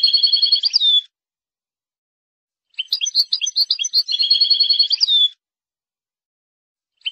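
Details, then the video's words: European goldfinch delivering repeated phrases of quick, evenly pulsed metallic notes ending in a downslurred whistle, each burst lasting one to two seconds and separated by silent gaps. "تغريد حسون في غاية الجمال بدون اخطاء"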